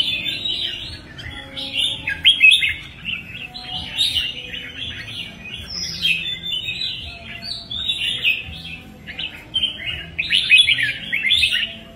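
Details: Red-whiskered bulbul singing: loud, bubbly, fast-warbled phrases with slurred whistled notes, given in bursts with short gaps between them.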